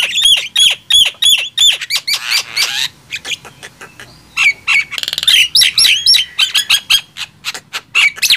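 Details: Loud singing duel, gemboran style, between a Nias hill myna and a black-winged myna; evenly spaced whistled notes, a rasping buzzy stretch, then fast chattering whistles and squawks.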